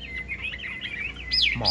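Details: Caged yellow-billed Chinese hwamei, newly acquired and not yet singing confidently, on a rainy day. A short run of warbled whistles, then louder, sharply sliding high notes at the end.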